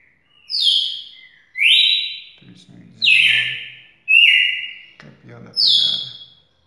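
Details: Red-cowled cardinal, described as a champion singer, sings loud clear whistled phrases roughly once a second, each a rich slurred note sliding downward. Low murmuring voices are heard between the phrases.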